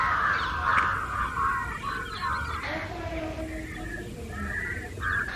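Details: Many house crows, with jungle crows also present, caw harshly and loudly, mobbing in a tree, uniting against someone unseen; overlapping calls once or twice a second, constant for over an hour, low background rumble.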